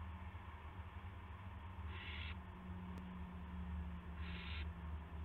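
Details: Evening live-cam owl bringing a gopher, March 18, 2016: two breathy, rasping screeches about two seconds apart, with a brief click between and a steady low electrical hum throughout.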